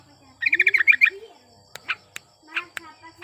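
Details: Sooty-headed bulbul in breeding condition singing vigorously, used to provoke silent bulbuls into song: a quick run of about eight bright, bubbly chirps, then scattered sharper chirps, with a faint low whistled tone beneath.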